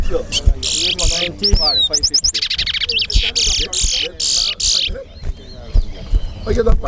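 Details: Towa towa, or chestnut-bellied seed finch, competing at a singing contest at Guyana National Stadium. Rasping buzzy bursts give way to a sweeping whistle and a rapid trill of short notes, then fainter buzzes, with people talking behind.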